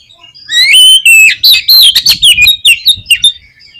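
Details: Loud Oriental magpie-robin song used to stir a pet bird into singing: a rich run of clear whistled slurs, rising and falling, broken into quick separate notes that speed up toward the close.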